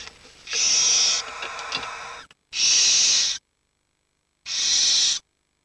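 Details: Barn owl chicks, aged 7 to 19 days, huddle for warmth while the parents are out hunting, giving three harsh, breathy hisses, each under a second long and roughly two seconds apart, with faint rustling between them.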